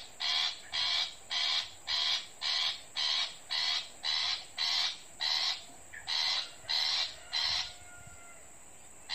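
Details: Long-tailed shrike (pentet) call, a real recording played from an MP3 to lure a wild shrike to a glue trap in a backyard garden: about thirteen harsh, rasping bursts repeated roughly every 0.6 seconds over a steady high electronic whine.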